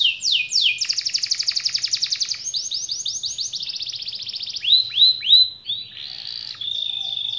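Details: Canary song meant to make silent, lazy canaries sing back: a fast ringing trill, then slower slurred notes, three loud downward swoops and a closing buzzy phrase, with a faint low hum underneath.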